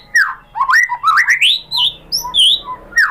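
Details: White-rumped shama lure song meant to get kept shamas answering: melodious rising and falling whistles strung into a climbing phrase, followed by clear separate notes.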